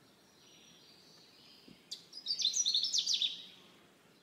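A Canada warbler gives one quick, jumbled burst of high, chattering notes lasting about a second and a half, with a faint thin whistle before it.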